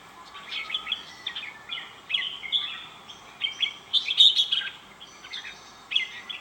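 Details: Red-whiskered bulbul song given as a busy run of short chirpy, whistled phrases, some slurring up and down, repeated almost without pause over a faint steady hiss.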